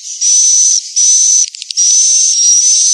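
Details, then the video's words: Swiftlet lure for calling young and adult birds to roost: long hissing buzzes with a steady high whistle, briefly broken in the middle by a few quick clicks. "SUARA WALET INAP PANGGIL"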